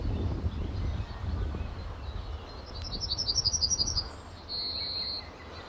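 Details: Male yellowhammer in a tree at RSPB Fowlmere on a late-March 2015 morning: after low rumbling background noise, a quick series of about eight high notes, then a long steady final note.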